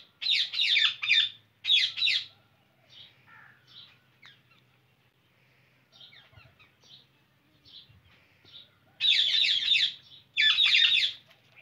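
An Indian ringneck parakeet gives loud, harsh screeching bursts in pairs at the start and end, with softer chattering notes in between.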